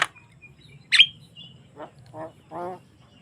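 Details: Javan myna in full song, recorded naturally without effects and used to prompt other mynas to sing: a sharp whistled note, then a low steady hum and three nasal, harmonic croaks that grow longer.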